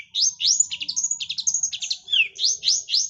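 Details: Shrill, rising squeaky notes from a long-tailed shrike imitating a lovebird, delivered in a quick jumbled chatter of upward-slurred chirps with one falling squeal midway.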